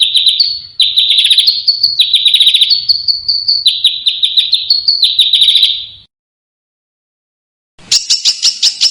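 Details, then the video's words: Contest-bird master of sharp, close-packed singing. Quick high warbling phrases rise and fall for six seconds, a silent pause follows, and then a harsh, rapid rattle begins. "Masteran Burung Lomba JERITAN RAPAT DAN KASAR FULL TEMBAKAN TAJAM"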